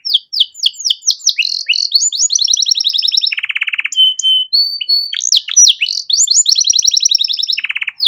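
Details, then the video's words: Canary in continuous song, a master recording for training other songbirds: rapid falling chirps, quick high trills, a low buzzy roll, brief whistles, then more trills and a final low buzz. "Masteran Kenari Gacor Cengkok Mewah Mudah Masuk untuk Burung Bahan"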